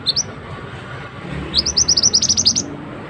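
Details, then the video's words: Male scarlet-headed flowerpecker call used to lure birds for trapping in forest; a couple of high ticks, then a rapid run of about a dozen thin, sharp, high notes at roughly four per second. "Suara pikat burung mandi darah / mantenan jantan"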